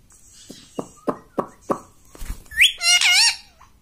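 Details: Household pet parrot giving a few soft tapping knocks, then a loud, bright two-part call with a sharp rising whistle followed by a longer wavering harmonic note, in a quiet room.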